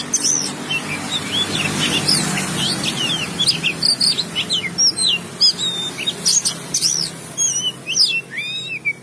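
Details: Oriental magpie-robin (kacer) singing a rapid, varied stream of high whistled slurs, chips and rising and falling notes, getting busier after the first few seconds, over a faint low hum.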